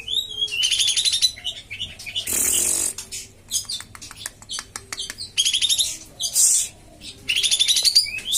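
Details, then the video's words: Common iora (kapas tembak) tutor song: repeated fast rattled trills about every three seconds, with hissing noise bursts and crisp clicking notes between phrases. "masteran dan pancingan kapas tembak yang males bunyi"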